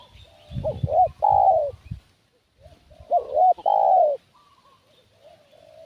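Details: Spotted dove calling as a decoy to draw in wild doves, giving two mellow cooing phrases about two seconds apart. Each phrase is a short wavering double note followed by a long, slightly falling coo, with faint softer coos between.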